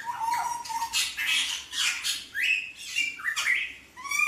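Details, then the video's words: Hooded butcherbird giving harsh, scratchy squawks mixed with short rising whistled notes, roughly one phrase per second, in a steady run; used to prompt other butcherbirds to sing. "Kicauan Jagal Papua Gacor"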